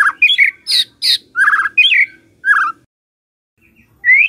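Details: White-rumped shama singing in the morning, played to get a silent shama to sing: varied harsh and whistled notes, some buzzy high bursts, a pause, then a rising whistle.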